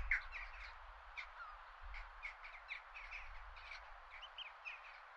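Jackdaws give a busy chatter of short, sharp 'tchak' notes, several birds calling over one another, with a low rumble beneath.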